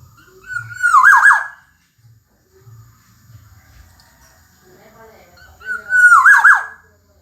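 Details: Gacor-style song of a Black-naped oriole (kepodang emas): two bold mellow whistled phrases about five seconds apart, each sliding then breaking into a scratchy flourish, with faint low murmurs between.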